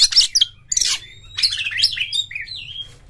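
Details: Oriental magpie-robin singing loud, open phrases: sharp high bursts, then a run of twisting whistled notes that trail off into a wavering, descending whistle.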